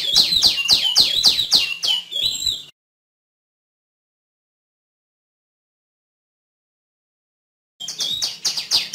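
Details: Rapid, high-pitched downslurred chirps from a female tiểu my for over two seconds, followed by a long pause and another short burst of the same notes.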